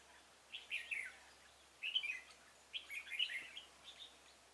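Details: Red-whiskered bulbul used as a decoy to lure stubborn wild bulbuls into a trap on 26 February 2018; three short warbled, slurred phrases at about one-second intervals, mid-high pitched, over faint steady background hiss.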